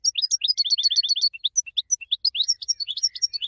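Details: Winning goldfinch singing for training other birds: a run of rapid repeated high chirps followed by varied twittering notes, single whistles and a lively jumbled close.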